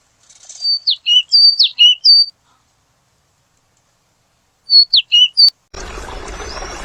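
Purple sunbird giving thin, sharp, high chirps in two quick bursts of four to five notes, then a sudden rush of hissy noise.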